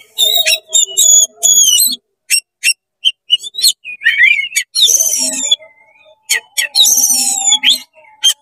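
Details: Fast-singing oriental magpie-robin, tail spread, in 'konslet' style to provoke other magpie-robins: high ringing whistles, crisp repeated chips, and a harsh chattering burst, separated by brief silences.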